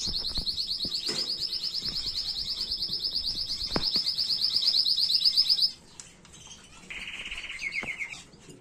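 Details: Canary song for tutoring young birds: a long, steady, very high rolling trill lasting over five seconds, a short pause, then a lower, slower trilled phrase.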